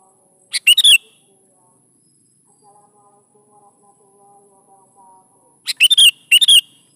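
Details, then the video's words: Sooty-headed bulbul singing, used to lure young bulbuls into answering: one quick chirpy burst early, then two bright bubbly phrases near the end, with quiet pauses and a faint steady hum between. "SUARA BURUNG KUTILANG GACOR SATU INI"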